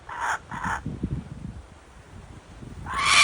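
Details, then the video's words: A kookaburra in Australia gives two quick, harsh, raspy notes, then a louder rising burst of coarse chuckling cuts in at the end. "What does a kookaburra sound like?"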